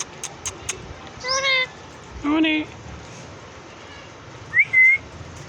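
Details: Pet parrot making sounds: a few sharp taps, then two harmonic, meow-like calls with falling tones about a second apart, a pause, and two bright rising whistles to finish, indoors with low background hum.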